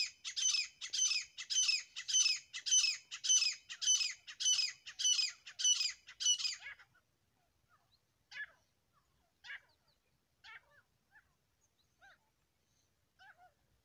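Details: A grey francolin pair (desi teetar) calls in a very regular series of loud, coarse phrases, about two per second, for six seconds, followed by scattered quieter chirping notes.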